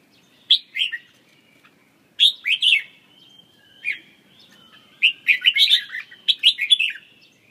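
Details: Red-whiskered bulbul song in clear bursts of lilting whistled notes, each phrase a quick rising and falling warble, with the phrases running closer together toward the end.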